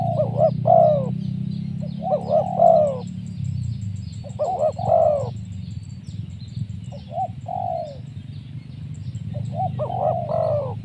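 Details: Spotted dove cooing to lure wild doves, with well-spaced bursts of doubled bouncing notes and falling coos, gaps of a few seconds between phrases, strong low rumbling hum underneath.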